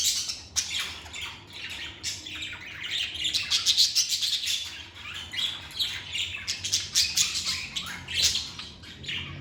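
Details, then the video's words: Several seconds of pet lovebirds singing and chirping in a calm setting: continuous rapid, high, rasping chirps and twitters, densely packed, with louder peaks every few seconds. "Lovebird Singing & Chirping Sounds"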